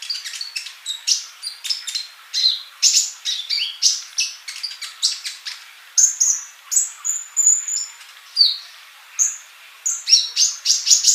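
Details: Energetic sunbird song, dense and continuous: rapid sharp ticks mixed with high sweet whistles and a few drawn-out level notes, sustained throughout with hardly a pause.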